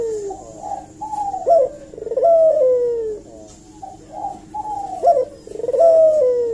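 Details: Barbary dove calling as a lure for an answer: rapid rolled coos alternating with sharp upslurred notes and long descending purrs, a loud, dense, continuous sequence.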